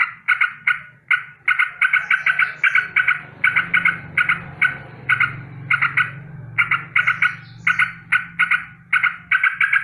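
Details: Alarm against danger from a sooty-headed bulbul in the morning. Clusters of rapid, raspy notes repeat in uneven bursts over a steady low rumbling hum in the background.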